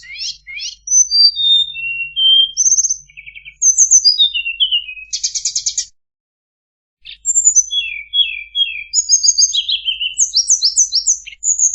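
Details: Tledekan song used as a master recording to train other birds: varied bursts of high, fast, sweeping whistles and trills, many descending, with brief buzzy notes and a short pause midway.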